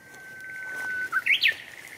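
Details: Japanese bush warbler song, recorded 10 April 2021 in Showa Kinen Park: a held pure whistle for about a second, then a sharp burst of rising and falling notes, with a steady background hum.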